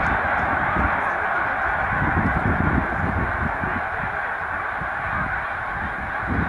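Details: Large flocks of wild Snow Geese resting on Cayuga Lake, New York, during spring migration on 20 March 2021. A dense, unbroken chorus of overlapping honks fills the clip, over a heavy low rumble.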